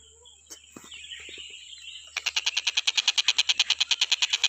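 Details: Stork-billed kingfisher on a nonstop recording meant for tutoring other birds: after faint scratchy sounds, a steady rapid string of harsh, buzzy notes begins and grows louder, about three per second. A high constant hum sits behind it.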